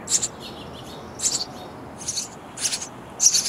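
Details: Baby sparrows in a bird house nest chirping loudly for food while parents bring insects; five bursts of high, hissy, raspy chirps spaced irregularly over a steady background hiss.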